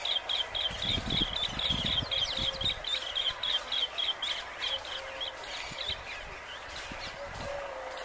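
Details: Asian green bee-eater (Merops orientalis), call.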